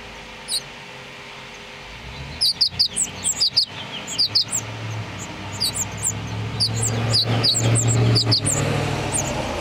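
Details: House finch nestlings in a nest built in a front-door wreath in Utah beg while being fed by their mother. They give bursts of thin, high, rapid chirps in several quick clusters, over a low rumble of passing traffic.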